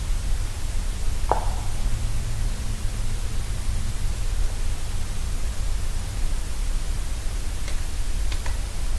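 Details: Static-laden night recording with low hum, one sharp knock-like click and a few faint ticks, but no animal calls.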